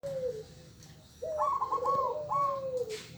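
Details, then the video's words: Local turtle dove (burung puter) giving low, mellow arched coos, a short one then a longer drawn-out coo with a wavering upper tone, against a faint low hum. "Burung puter lokal"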